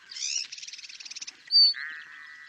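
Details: A Pale-crowned Cisticola in moist low-lying grassland depressions of South Africa gives its very shrill call: a buzzy burst, quick ticking notes, a piercing short whistle, then a thin steady tone.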